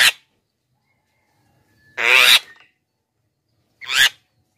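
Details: Black-winged myna calling, a sound meant to draw wild mynas near and rouse caged birds to sing: three loud, harsh, raspy bursts spread over several seconds, the middle one longest.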